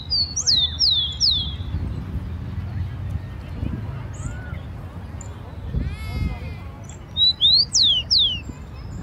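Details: Rufous-collared sparrow in a Brazilian park or garden: a few high downslurred whistles, then quieter mixed sounds and a buzzy burst, ending with more loud slurred whistles; low rumble throughout.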